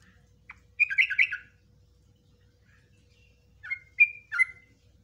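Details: Yellow-vented bulbul giving a long 'ropelan' style song with 'nguklik' and 'ngecruk' phrases, used for tutoring cage birds: a short bubbly burst of liquid chirps, a pause, then a second cluster of quick rising and falling notes.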